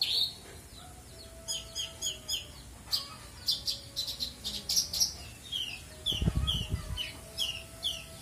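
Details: Kept bushlark (branjangan) delivering full isian song: steady run of short, high chirps repeated about twice a second, with a faint hum and a brief low thudding burst near the end.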